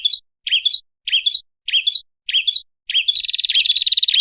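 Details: Prinia (prenjak kepala merah) used as a lure for small birds: five short, sharp double chirps spaced about every half second, then a fast, rattling trill of high notes.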